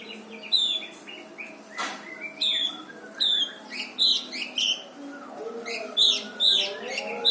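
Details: Brown-throated sunbird song recorded for training other songbirds, with high piercing notes, short downward slurs and thin trills in quick irregular bursts over a constant low droning background.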